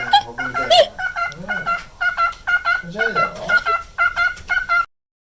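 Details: A nine-year-old male cockatiel kept indoors warbles its daily looped song in vibrato. Even harmonic notes throb roughly twice per second, with low human voice sounds underneath, ending abruptly.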